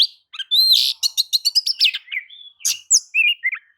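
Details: Oriental magpie-robin in full vigorous song, used as a lure to provoke other birds into singing: varied whistled phrases, a rapid run of sharp repeated chip notes, then rising and falling slurred whistles, all high-pitched and clear.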